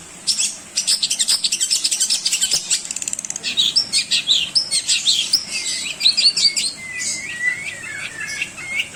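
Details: Long-tailed shrike song used as a training model for other songbirds: rapid high chattering notes in fast runs, then clear whistled slurs and a falling, rising whistle toward the end.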